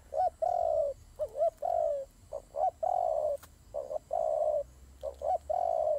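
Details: Turtle doves in a fight: hoarse coos in pairs, a short upswept note and then a drawn-out coo, repeated steadily six or seven times, with a soft hum behind.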